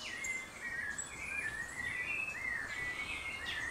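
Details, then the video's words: Near Mindo, Ecuador, an Ecuadorian Thrush delivers a flowing series of sweet whistled phrases, each slurring up and down, about one and a half per second, over insect hiss and scattered faint high calls. "Ecuadorian Thrush"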